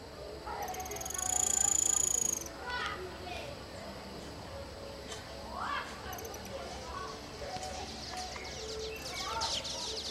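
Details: Female White-barred piculet calling at its nest in a dry mango tree in Cordisburgo, Minas Gerais, Brazil, giving a very high, thin, sustained trill of about two seconds, then softer scattered notes over a faint noisy background.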